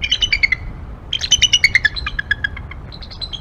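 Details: Wild bald eagle pair calling from the Y-branch of the Decorah nest tree one January 2022 morning near 10:45 am: rapid cascades of shrill, slightly descending squeaky notes, one string following closely on another.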